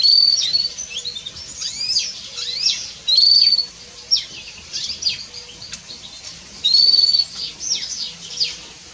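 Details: Loud house sparrow chirping with sharp, rising and falling high notes. Brief steady whistled tones recur about every three seconds amid busy, overlapping chirps.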